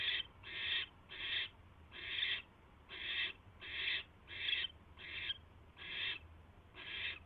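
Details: Barn owl at a nest box on a live camera, late evening of 22 January 2016 at 10:22 PM, as a mouse is brought to the nest: harsh, hissing screeches repeated in steady bursts, about ten in seven seconds, over faint low hum.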